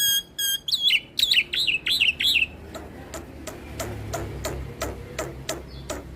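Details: White starling (Jalak Putih, Jalak Nusa) singing a full rolling song, bobbing its head, said to provoke other starlings; bright harmonic whistled notes in quick bursts for two seconds, then scattered sharp clicks and ticks over low background rumble.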